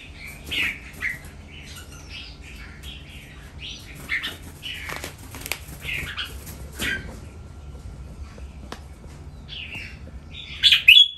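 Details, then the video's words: Captive breeding-stock Red-whiskered bulbuls at a breeding farm, several birds calling playfully: short, bright whistled phrases rising and falling in quick bursts, with a sharper squeaky note near the end. "พ่อแม่พันธุ์ เสียงร้องเล่น"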